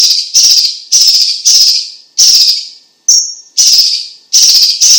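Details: Chinese leafbird (cucak ijo cina or cucak cungkok) in lively song for tutoring and prompting: short harsh buzzy bursts about every half second, with one clean high whistle midway.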